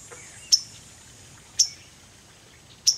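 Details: Hopping about on a branch above the listener on 30 July, a waterthrush sounds three piercing, short chip notes roughly a second apart, with a faint softer note early on and quiet background hum.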